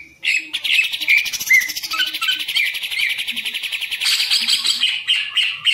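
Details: Kept green leafbird in Indonesia pouring out a continuous, dense buzzy warble sprinkled with sparkling high whistles.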